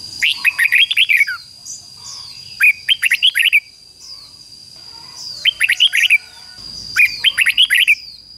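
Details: Decoy red-whiskered bulbul singing to lure rival bulbuls into combat: four bursts of fast, liquid warbled whistles, each of several notes, spaced a couple of seconds apart, over a continuous high-pitched tone.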